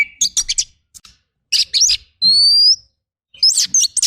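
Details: Oriental magpie-robin song for master training, rough 'tembakan kasar' style: clusters of sharp high chirps broken by pauses, with one long, clear rising whistle in the middle.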